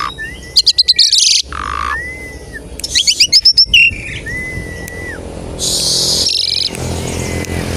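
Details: Asian pied starling lure recording for getting other starlings to sing: chattering click trills alternate with clear arched whistles repeated about every two seconds, ending in a broad buzzy hiss.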